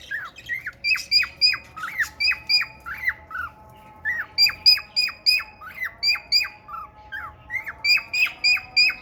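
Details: A male cockatiel courting a female budgie pours out fast runs of bright, down-curving chirps. Each run has about eight to ten notes, separated by short gaps.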